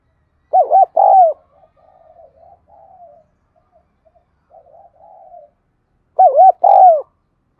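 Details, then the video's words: Spotted dove kept as a lure bird, calling: a loud phrase of paired arched coos, a long stretch of faint murmuring notes, then the loud coo phrase again. "Tiếng Chim Cu Gáy Thúc Gù Gáy Gọi Mới Nhất || Chim Cu Gáy Mồi"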